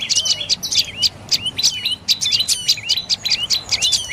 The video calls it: เสียงนกกระจิบคอดำDark necked Tailorbird Sounds